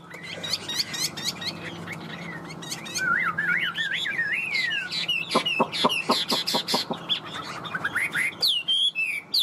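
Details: Caged, tamed Chinese hwamei with yellow legs and bill, held over two years in a cage. Varied song of looping, wavering whistles, then a series of sharp clicking notes and high rising slurs, with some background hum.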